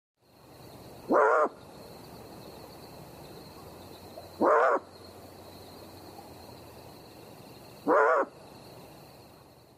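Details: A Great Horned Owl (Bubo virginianus) gives its bark call, used to warn of danger or scare off territorial intruders: three short, harsh barks about every three and a half seconds, each a brief rough burst over a steady background hiss.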